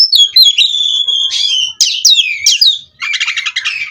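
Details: Oriental magpie-robin bred in captivity singing in the nonstop 'ngerol' style: a long sustained whistle, then rapid scratchy phrases and a fast buzzing rattle of repeated notes at the end.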